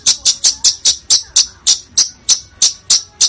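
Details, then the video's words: Bird sound used to train contest songbirds, billed as dense, harsh screams with sharp shots: a fast, steady series of high, piercing chips, about four per second, continuing throughout. "Masteran Burung Lomba JERITAN RAPAT DAN KASAR FULL TEMBAKAN TAJAM"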